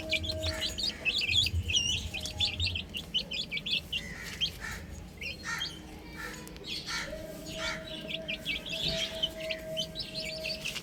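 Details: Young chickens on a roof give rapid high chirps in an irregular chorus, denser at the start and end, with a low hum fading after the first few seconds.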